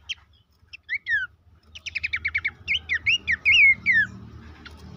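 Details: Horsfield's babbler song used as a lure to make caged birds active and sing: scattered sharp chirps, then a rapid run of clicking notes and loud downslurred whistles, over a faint low hum.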